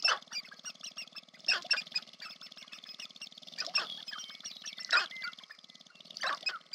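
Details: At a courtship display ground in the American Prairie Reserve, Montana (Northwestern Glaciated Plains), Sharp-tailed grouse give repeated clucking, cooing and squawking calls, several birds overlapping, with sharper cackles breaking through every second or so.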